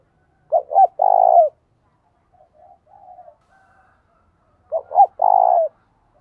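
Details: Decoy spotted dove calling to stir other doves to coo fast: two loud phrases of two quick looped notes and a drawn-out vibrating coo that slides down, with faint softer coos from another dove between them.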